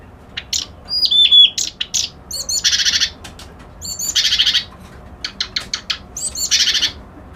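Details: Reed warbler, locally called white-browed kerak basi, singing loud grating buzzy bursts that alternate with sharp, clipped notes and a few thin whistles. The phrases repeat over several seconds with brief pauses between them.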